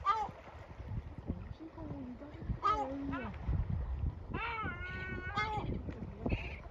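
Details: Adult male yellow-legged gull, with his family and chicks, scolding the young until they go into their hiding place; several loud, harmonic, wailing screeches, some drawn out, with lower murmuring sounds and a windy background.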